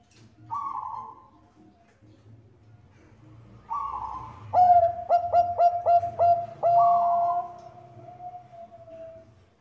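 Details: Zebra dove of the Bangkok strain, female calling a male, singing as a lure for other doves: two soft hissy notes lead into a bright coo with rapid stuttered beats and a long fading drawn-out final tone.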